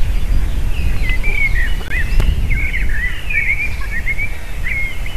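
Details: At an eagle nest on 7 June 2023, late afternoon, the female calls on landing and eaglets cry before feeding; thin, piercing whistles and chittering slurs come in a rapid, unbroken series over a low, constant rumble.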